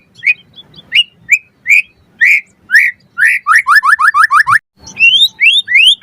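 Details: A white-rumped shama sings a varied full song: spaced upslurred whistles, then a rapid run of about eight descending notes, then more rising whistles.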